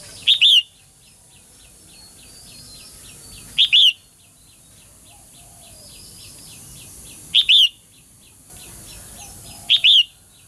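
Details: Female bird singing to spur males into active singing. Four repetitions over ten seconds of a paired call, a clipped high note then a slurred whistled note, over a light ticking backdrop.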